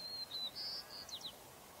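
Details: A White-crowned Sparrow sings a slightly different song from usual: a steady high whistle, then a couple of buzzy notes and quick downslurred chips, all within under two seconds.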